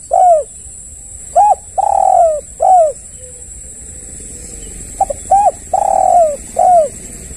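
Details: Spotted dove used as a lure to prompt other doves to call: two rhythmic coo phrases, each a short note, a pair of clipped notes, a long falling coo and a final brief coo, separated by a pause, with a constant high-pitched electronic hum behind.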